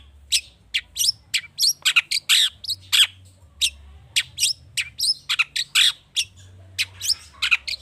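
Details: Long-tailed shrike in full, varied song meant to spur other birds: a dense, fast sequence of sharp chirps, squeaks and harsh notes with hardly any pause.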